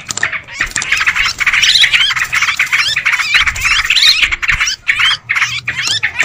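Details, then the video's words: Yellow-vented bulbuls used as a lure call chatter busily, with dense, bubbly, overlapping notes in quick bursts and a few brief pauses. "Suara pikat trucukan ribut"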